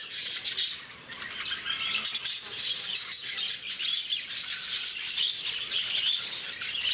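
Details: Lovebirds at Bangalore's Bannerghatta Zoo, an active and noisy group, fill the air with intense, piercing chirps and fast squeaky chatter, a short lull near the first second before the chorus swells again.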